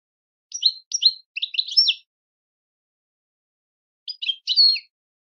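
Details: European goldfinch giving short clusters of sharp, high twittering chirps, three quick notes then a jumbled burst, a pause, and another brief group of chirrups.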